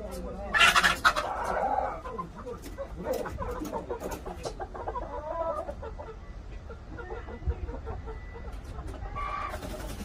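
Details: Korean native chicken clucking: a loud sharp squawking burst early, then a run of quieter irregular clucks over steady low hum, with another loud call at the end.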